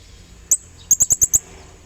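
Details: Blue-crowned hanging parrot calling a rival as a lure: one sharp, thin, high chirp, a brief pause, then a fast run of five identical shrill chirps.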